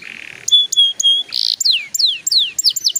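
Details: Canary sounds used to coax young canaries into song: a soft buzzy note, three level whistles, a harsh buzz, then a string of steeply falling whistled slurs.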